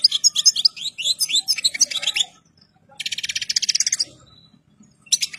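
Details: A European goldfinch, ready for breeding and in full plumage, pours out rapid bright twittering notes, then a dense buzzing trill about a second long, then starts another phrase; faint low hum underneath.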